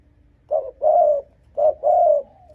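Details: Spotted dove cooing to provoke and draw in rival wild males: two phrases, each a short clipped hoot immediately followed by a longer, smooth, gently falling coo, mellow and mid-pitched with near silence between.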